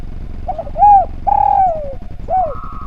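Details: Spotted dove song in a tutor recording meant for other birds: a quick double note, then a rounded coo and a longer falling coo, with a short arched coo at the end. A faint higher steady tone runs underneath.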